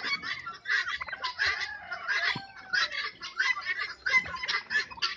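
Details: Fighting turkeys on a farm, seven or eight birds; rapid rattling gobbles in bursts around ninety per minute, overlapping harsh calls with some clucking-like notes mixed in.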